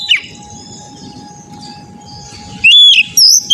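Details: Oriental magpie-robin, played as training audio for untrained birds, gives a short loud whistled phrase near the end after a quieter stretch of faint chirps, over a constant humming tone and low background rumble.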